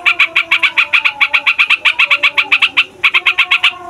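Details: Noisy yellow-vented bulbul rolling at length, used to stir young or silent bulbuls into singing. Evenly paced clipped notes run fast and steady, briefly breaking before resuming, over a faint low hum.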